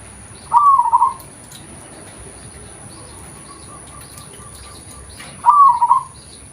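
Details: Local zebra dove, natural call used as a lure: two short warbling coo phrases about five seconds apart, each a quick rolling burst, over a steady low background hiss with faint distant chirps.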